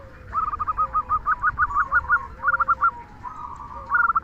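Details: Local zebra dove, a keen singer with a loud "kung" voice, used to prompt other doves to sing: quick runs of short, rolling cooing notes, pitched high and repeated several times a second, with a softer, lower drawn-out coo beneath.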